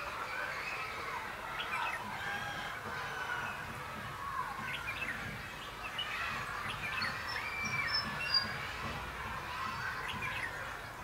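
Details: Red-whiskered bulbul recorded at a bird trap on 22 December 2015: repeated bright chirps and quick slurred notes in loose bursts, with a few high whistled notes and constant rural background hiss.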